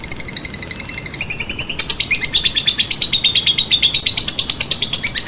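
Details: Lovebird lure to prompt a reply, typing, cackling and long-pull styles: high piercing pulsed chatter, starting with thinner stacked notes, then at about two seconds shifting into a louder, denser rapid trill that runs on to the end.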